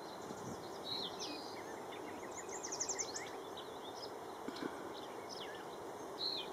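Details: A male tree swallow guarding and perched on a nest box, preening while the female is probably away feeding, gives soft liquid twitters and chirps in short bursts; steady insect drone, light rustling; Jamaica Bay Wildlife Refuge, NYC, 29 May 2010, afternoon.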